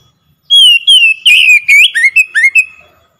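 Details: Oriental magpie-robin lure song for coaxing a silent bird to sing: two long level whistles, then a burst of harsh buzzy notes and several short downslurred whistles, loud and clean with no background noise.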